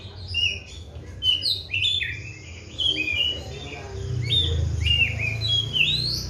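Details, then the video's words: Captive Oriental magpie-robin, fed seven crickets and bathed twice daily, pours out sweet whistled phrases mixed with rising sweeps and high twittering notes, the song fluent and varied against a quiet low drone. "KACER GACOR PELAN TAPI PASTI"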